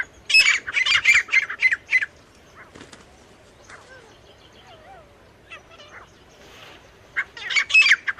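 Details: Male and female teetar partridges: a burst of loud, harsh, rapidly repeated notes, a quiet gap with faint chirps and a short whistle, then another loud harsh burst.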